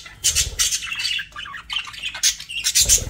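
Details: Pet budgerigars chirping and squawking, meant to calm lonely birds: short harsh bursts and bright scratchy chirps in quick uneven clusters, with brief gaps between groups.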